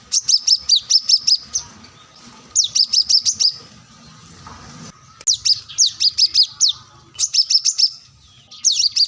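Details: Plain-throated sunbird, singing as if calling out a rival, gives four bursts of quick, high, sharp notes, each about a second long, separated by quieter pauses with faint background hiss.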